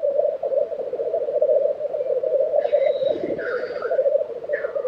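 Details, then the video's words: Black grouse lek, Tiveden, Sweden, April 2023: a rolling, bubbling chorus carries on beneath hissing, whooshing sneezes in the second half, and a dull thump comes near the middle. "Black Grouse Lek - sound recording"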